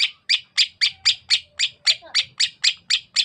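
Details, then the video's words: Sukamade-type greater green leafbird from Banyuwangi, East Java, repeating a steady series of harsh, scratchy notes about four per second. "Suara Khas Cucak Ijo Sukamade ( Merubetiri )"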